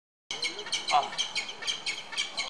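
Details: A wild female peregrine falcon in Granada, Spain gives interaction calls toward a male released in 2012: a quick run of harsh, high chipping notes, about four per second, over faint outdoor background noise.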